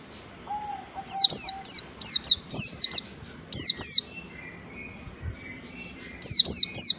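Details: White-eye of the 'ngalas' type learning to deliver a rapid 'nembak' song that stirs other white-eyes to sing: runs of piercing, high, descending chirps in quick succession, a soft low whistle early on, and a brief pause mid-way.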